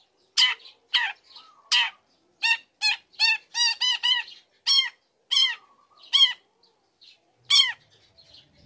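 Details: Lure song from a young long-tailed shrike, used to stir other shrikes to reply: a run of ringing, harmonic, down-curving notes repeated roughly twice a second, opening and closing with harsher rasping calls.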